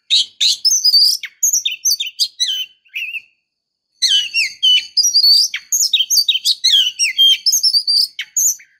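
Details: Female Oriental magpie-robin calling to lure a male: rapid, varied, high chirps and twittering notes in dense bursts, a pause near three seconds, then a busier stretch of scratchy, sweeping chirps.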